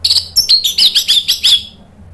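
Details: Orange-headed thrush song meant to rouse other birds into replying. A fast run of about nine bright, twisting chirps at an even pace ends abruptly after one and a half seconds.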